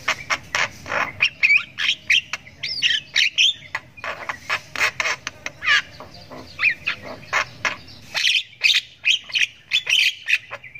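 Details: Harsh, grating ngriwik from a young Javan myna learning to call: nearly continuous rapid squawks and rasps, three or four a second, sustained over the whole stretch.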